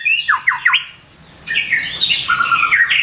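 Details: Morning song of a white-rumped shama: three quick downward-slurred whistles, a pause, then a harsh buzzy run of high notes that steps down in pitch.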